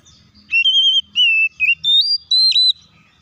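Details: Oriental magpie-robin song used to provoke other magpie-robins into singing: five loud clear whistled phrases, the first ones level, later ones rising higher with a dipping note, separated by short gaps, over faint low background rumble.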